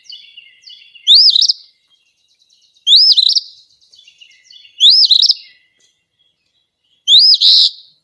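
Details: An Eastern Phoebe in upstate New York gives four high, buzzy two-part 'fee-bee' phrases about every two seconds, each ending in a rough, stuttering note, with soft chips in the gaps.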